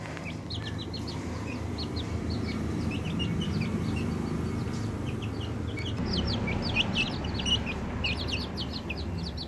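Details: Young chickens twenty days after hatching, a group giving rapid high-pitched peeps, dense and irregular, growing busier toward the end, over constant low-frequency rumble.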